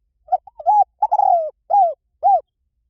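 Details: Spotted dove call played as a decoy for wild doves: two quick soft notes, a wavering extended coo that sags in pitch, then a pair of separate arched coos, each about a quarter second long, in a silent background.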